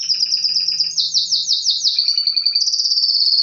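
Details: Canary in full song, moving from a quick pulsing trill to sweeping downslurred notes, then a steady fast roll that climbs slightly higher toward the end.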